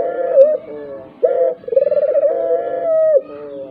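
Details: Dove cooing, a recording meant to lure other doves, even silent ones, into calling; a short low coo, then a long purring, trilled coo held for over a second, steady and tonal.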